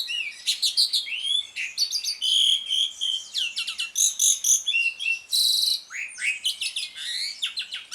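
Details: Asian pied starling delivering ngriwik chatter, played as a lure so silent birds resume singing; continuous jumble of squeaky whistles, clicks, rasping buzzes and steady high tones, barely a pause.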